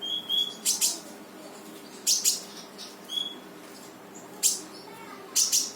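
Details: Brown-throated sunbird in energetic 'tembakan' song, used to coax a lazy bird into singing: a few very high, sharp chip notes spaced about a second apart, plus brief thin whistles, over faint steady background noise.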